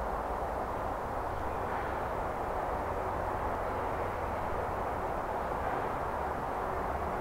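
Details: Rushing water makes a constant broad roar, with no animal voices.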